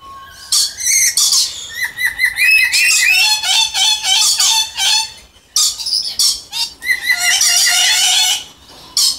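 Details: Pure-subspecies Moluccan red lories giving loud harsh screeches mixed with rapid whistled chatter and bubbling notes, several birds calling almost continuously with a brief pause midway.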